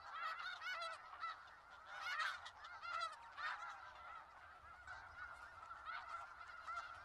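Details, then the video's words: Snow geese gathered in Skagit Valley, a busy chorus of nasal honks with bursts of loud, quick yelping calls at the start and midway, then a steadier murmuring flock. "Sounds of Snow Geese"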